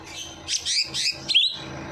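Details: Bird voice meant to spur a quiet bird to sing after a night bath; a few sharp high chirps closing with a rising whistled note.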